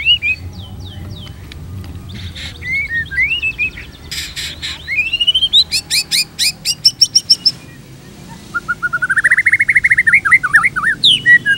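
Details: Indonesian white-rumped shama pancingan song for tutoring: mixed whistles and harsh buzzy bursts, loud rising slurs, then a rapid descending chattering series of repeated notes.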